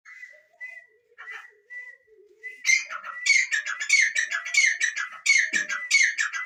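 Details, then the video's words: Francolin calling: a few thin, level whistles and soft low notes at first, then a loud run of harsh, rasping notes repeated rapidly in close groups over the last three and a half seconds. "IRANI TEETAR ki awaaz/teetar voice/teetar ki awaz/dakni teetar ki awaz/Madi teetar voice"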